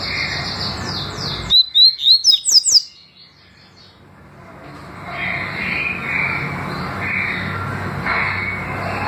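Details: Double-collared seedeater song, from a recording of the tui tui and deputado styles: a loud run of about six quick, high, slurred whistles over roughly a second, followed by near silence and then a long stretch of soft background hiss.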